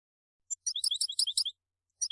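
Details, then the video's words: Short burst of European goldfinch (mqnin) song: around ten quick bright, tinkling chirps clustered together, a pause, then two more notes; softer and lightly echoing. "الحسون ملك الطيور ينفجر في عرض للقوة والمهارة الحان تغريد مجنونة"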